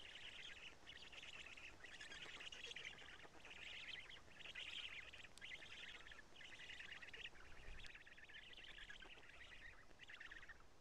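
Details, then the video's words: Black storks at Karula on 2 June 2017, shortly after 20:00, during a nest change and feeding; harsh, buzzy bursts about a second long repeat almost without pause, with steady background hiss. "Black Stork~Change and Feeding"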